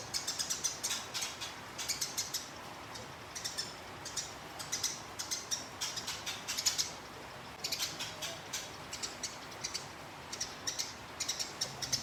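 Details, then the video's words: Sparrow in fighting mode, recorded to train competition birds, repeating bursts of shrill high chirps in rapid rolls every second or two across a long stretch, with a soft hiss beneath. "Gereja Tarung Ngeroll Abis"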